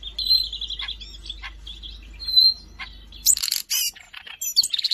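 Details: Siberian rubythroat singing, recorded in Jakarta on 5 March 2025: a varied, rapid high-pitched song of trilled phrases, sharp chirps and whistled notes, turning to harsher scratchy bursts in the second half.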